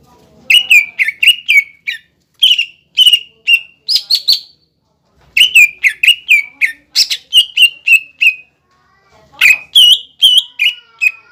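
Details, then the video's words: Cucak ijo lure song for provoking young birds: long chattering series of rapid, sharp whistled and slurred notes, many sliding downward, delivered in several fast bursts with brief pauses, background quiet. "PANCINGAN CUCAK IJO BIAR EMOSI BUAT CUCAK IJO TROTOLAN MUDA DAN OMBYOKAN AGAR BUNYI"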